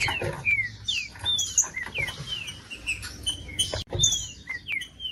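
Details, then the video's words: Green-winged saltator singing, a recording used to stimulate a cold bird for tournament breeders: a run of short clear whistles sliding downward, set among busy clicks and rustling noise. "TRINCA FERRO CANTANDO"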